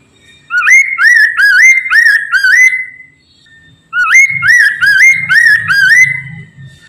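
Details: Black-throated laughingthrush song, used as a lure to prompt other birds of its kind to sing: two bursts of about five loud, upslurred whistles with a ringing, harmonic-rich tone, separated by a pause of about a second, over faint low thumps.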